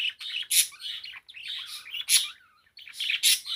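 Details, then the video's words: Pet parakeet singing away in a continuous warble of chirps and chattering notes, with loud scratchy bursts about every one and a half seconds and a brief pause near the end. "#parakeet #songbird Blue singing away :)"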